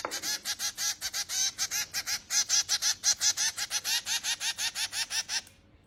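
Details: Hungry finch chicks begging while being fed: a steady stream of harsh, nasal, buzzy notes repeated about three times a second, stopping abruptly near the end.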